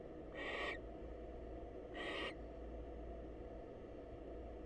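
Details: Two rough, hissing screech bursts about 1.5 seconds apart as a wild female barn owl visits a male to say hello at a research nest box, followed by quiet background hum.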